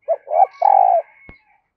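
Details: Spotted dove used as a decoy to call new wild birds gives one three-part coo, ending in a long hoot, followed by a sharp click.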